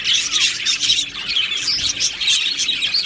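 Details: Budgerigars in an aviary colony chirp happily, many overlapping high twittering and squeaky notes forming a continuous busy chorus.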